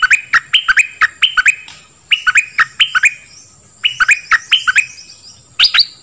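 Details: Dok Taeng bird song meant for training young birds and exciting them; short clusters of three or four upward-flicked chirps separated by pauses of about a second, with a steady high whine in the background.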